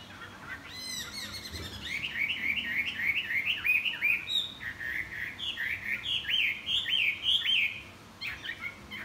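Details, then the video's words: Chinese hwamei singing in the morning and flapping its wings: after a short rapid chatter, a long run of loud, repeated looping whistles, roughly three or four per second, continues for about six seconds with slight variations. "Hoạ mi đập cánh chào buổi sáng"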